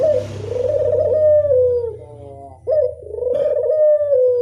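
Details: Lure call of a Barbary dove: two sustained, hoarse coos, each steady and then gently falling, with a low hum underneath.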